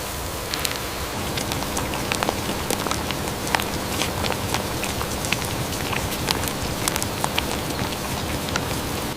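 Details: Busy patter of drops or crackling over a steady noisy background with a faint low hum, with no animal call.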